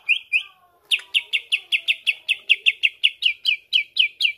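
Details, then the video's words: Greater green leafbird singing to spur other leafbirds: two slurred notes, then a steady rhythmic string of about fourteen similar sweeping chirps, roughly four per second. "CUCAK IJO BONGKAR ISIAN BUAT PANCING EMOSI IJO ANDA"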